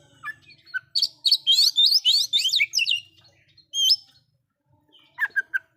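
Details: Oriental magpie-robin belting a loud song to provoke others of its kind; fast run of buzzy, falling whistled notes, a long high whistle, then a few short clipped calls.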